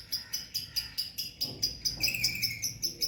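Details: Pet lovebirds, two birds, chirping: a regular pulse of high, thin chirps several per second over a soft background hiss, with a brief, slightly lower, drawn-out tone in the second half.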